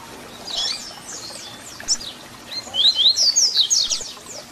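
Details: Double-collared seedeater (papa-capim) singing a 'Tui Tui Zel Zel' fibra-style song used to tutor young birds: faint high downslurred strokes, then a loud burst of sharp rising and falling whistled notes near the end.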